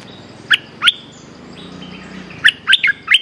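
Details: Bulbul in the wild answering a caged lure bird just hung out: a few short bright chirped notes near 0.5 and 0.9 seconds, then a quick cluster of sharp rising whistles near the end over a quiet background hiss.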